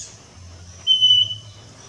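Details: A Scaly-breasted Wren in Colombia, a bird often heard but hard to see, sings a single pure, level whistled note held for nearly half a second, over a faint steady high hiss and a low hum.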